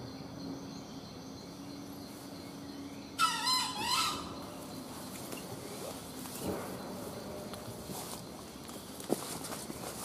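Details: A junglefowl crows once during a hunt, a coarse, hoarse call of about a second in two swelling parts, followed by rustling, faint knocks and steady insect hum outdoors.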